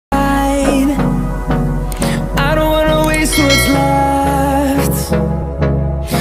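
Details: Loud pop-style music plays throughout, with a steady beat, sustained melodic tones and sung notes, and no animal voice.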